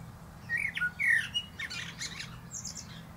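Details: A common blackbird singing atop a plum tree gives quick fluted whistles tumbling down in pitch, then scratchy, high twittering notes that fade out.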